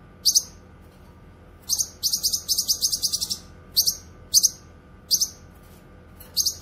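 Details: Cucak kinoy singing energetically, a recording meant for tutoring cage birds and attracting wild ones. Isolated sharp high chips, then a rapid run of repeated buzzy notes near the middle, followed by spaced single chirps.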